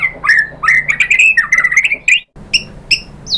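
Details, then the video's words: White-rumped shama answering a lure meant to trigger singing: a run of harsh, scratchy, rasping notes with quick slurred twists, a short pause, then a few sharper high notes. "bikin NYAUT ‼️ MURAI BATU jadi EMOSI GACOR BONGKAR ISIAN ¦ PANCINGAN MURAI"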